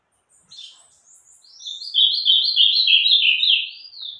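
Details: Ultramarine grosbeak in meia-noite song: soft opening twitters build into a loud, rapid string of rich slurred notes, evenly repeated and slightly descending, finishing with a rising-then-falling whistle.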